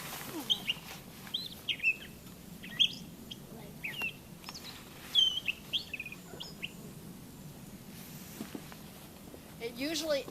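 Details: Gray Catbird singing a jumbled string of short squeaky, scratchy notes while people talk quietly nearby, on a children's summer camp walk at the Great Swamp, July 8, 2015.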